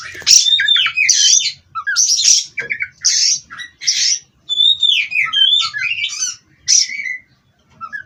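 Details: Captive-bred Oriental magpie-robin producing harsh, buzzy bursts alternating with sliding whistles, in phrases about a second long separated by short pauses.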